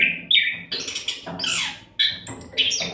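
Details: Continuous song from an Oriental magpie-robin for training songbirds: whistled notes give way to loud harsh, rasping bursts, then clear high whistles and slides, densely packed with few pauses.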